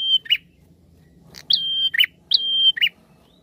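A prinia gives three quick phrases, each a high, level whistled note followed by a short buzzy burst, repeated roughly every 0.8 seconds. Faint low background hum.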